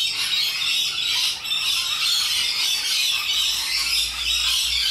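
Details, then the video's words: Many wild rainbow lorikeets in Australia screech together, a harsh, high, unbroken wall of squawks with rapid overlapping notes throughout. "Loud and Obnoxious Parrots - Rainbow Lorikeets"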